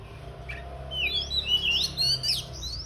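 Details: Oriental magpie-robin singing as it is about to spread its tail: clear, sweeping whistled notes, rising and falling slurs, some sharp upward flicks, delivered in quick varied phrases over a low steady hum.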